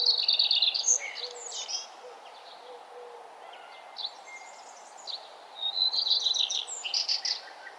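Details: Several birds singing at sunrise along a nature trail: high, bright chirping bursts and quick trills open and close the passage, with a thin, level whistle in the middle and a steady low background hum throughout.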